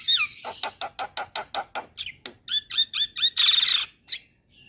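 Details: Calls used as a lure for starlings and mynas (Javan, black-winged, Nias): a whistled swoop, then a steady train of rough rasping notes, a series of thin whistles and one loud broad screech.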